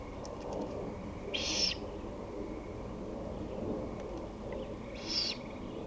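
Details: Harsh hissing screeches of a great horned owl, taped 23 May 2018 at 5:53 pm, two bursts spaced roughly three and a half seconds apart against a constant low rumble.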